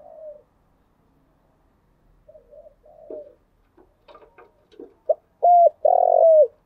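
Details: Spotted dove coo call played as a trapping lure; faint scattered coos and soft clicks, then a short note followed by two loud drawn-out hooting coos near the end.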